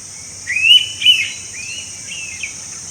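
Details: An Indian pitta in Goa, India, in May 2021 gives a loud, clear two-part whistle, then softer fainter whistled notes, over a steady high insect hum.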